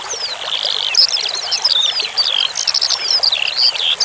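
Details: A Eurasian skylark, recorded as a master song for training birds, pours out a fast, unbroken stream of high chirps, trills and slurred whistles over a steady hiss of running water.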